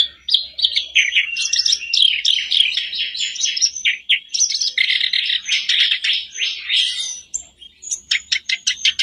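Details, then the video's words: Lure recording of sooty-headed bulbul song for a caged bird: long unbroken run of busy chirping and rattling notes with thin whistles, ending in clipped repeated chips. "Buat pancingan harian kerak basi macet pasti langsung on,bikin kerbasmu gacor"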